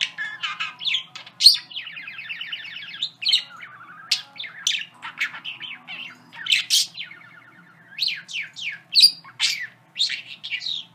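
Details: A pet parakeet sings in a fast, warbling stream of chirps, squawks and rapid clicking trills, all high-pitched, with a few of his favourite mimicked phrases mixed in.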